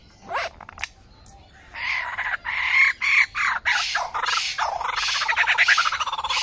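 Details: A lyrebird in Australia in 2019 pours out a fast, varied run from its repertoire: loud rising whistles, harsh bursts and clucking, rooster-like notes, switching sounds every second or so.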